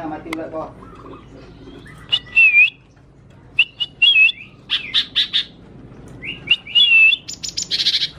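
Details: A young, still-speckled kept lesser green leafbird with white on wings and tail sings bursts of varied, high, bright phrases, including slurred whistles and rapid chattering mimicry of other birds such as Java sparrow, oriole and golden bulbul, with short pauses between.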